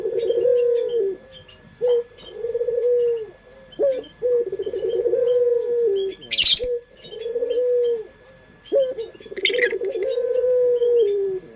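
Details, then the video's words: Puter pelung, a local pet dove, cooing as a lure: pulsed, slightly wavering long coos separated by short gaps. Two brief bursts of rustling or flapping cut through the middle and near the end. "Pancingan Suara Burung Puter pelung paling dicari bersuara merdu"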